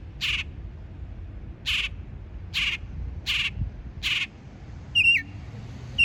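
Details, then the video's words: A bird gives five harsh, broadband chirps about a second apart, then shifts to a sharper, whistled two-part note, one of several different calls it made, over a low background hum. "Bird makes multiple different chirps"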